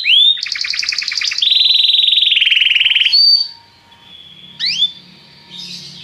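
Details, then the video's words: Popular song of a Belgian canary: a quick rolling trill, then a long steady buzzy note, a pause, and a couple of softer upswept whistles with quiet background hum. "a canção do canário belga que é popular"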